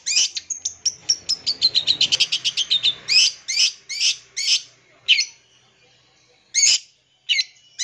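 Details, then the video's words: Long-tailed shrike full-isian song, used to lure young birds. A fast run of sharp notes steps down in pitch, then slower harsh, buzzy notes follow with widening gaps. "PANCING SUARA CENDET FULL ISIAN"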